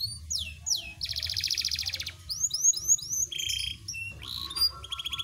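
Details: Panda canary singing a varied, high-pitched song: rapid buzzy rolls, clear rising whistled slurs repeated in quick series, and sharp trills switching every second or so, over a low background hum.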